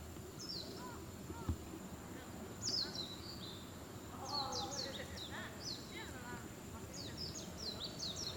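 Moorhen chicks give thin, high peeps in short bursts every second or so, with a few lower notes, over a steady background hum and rumble.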